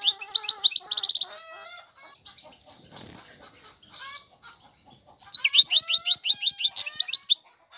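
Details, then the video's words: European goldfinch twittering in bright, rapid bursts with a buzzy trill, then quieter scattered notes and a soft flutter of wings, before a final run of loud, quick, rising chirps. "تغريد الحسون هو اجمل صوت العصافير"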